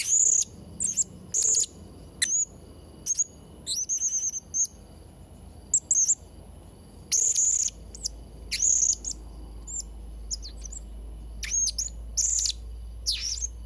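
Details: Blue-crowned hanging parrot (serindit trotol) singing briskly, used for training young and molting birds: repeated shrill high squeaks and short sizzling notes, a brief trilled flourish, and irregular piercing chirps over a low steady hum.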